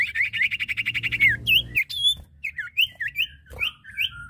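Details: Vigorous duet-like song of male and female iora: a quick buzzy trill, followed by varied clear whistles, some rising and some falling, with occasional scratchy notes.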